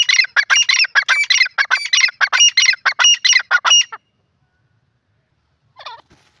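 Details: Grey francolin, known locally as teetar, gives a harsh, grating series of rapid squawking phrases for about four seconds, then falls silent, with one short faint note near the end.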